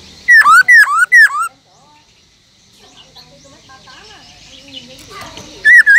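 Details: A caged Black-throated laughingthrush gives three ringing whistles that fall then lift, followed by a long quiet stretch with faint background noise, and one wavy whistle at the end. Wild-voice singing meant to excite other laughingthrushes.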